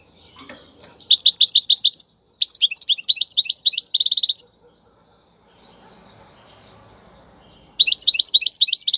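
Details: Goldfinch, a wild bird singing a khalwi song used to teach chicks, delivers quick repeated chirps, a tinkling twitter and a buzzy trill, pauses amid faint low rustling, then resumes with fast sharp notes.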